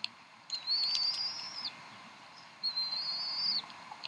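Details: At the Decorah bald eagle nest, evening of 26 April 2012 around 7:50 pm CDT, while the mother feeds her three eaglets: two long, high, thin whistled calls, nearly level and slightly rising, separated by a two-second pause.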